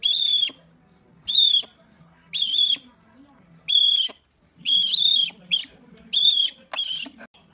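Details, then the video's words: Series of about eight short, high whistled hoots from a rare owl, given roughly once a second, each note level and clear, with light background hum between calls. "Suara Khas Burung Hantu Langka"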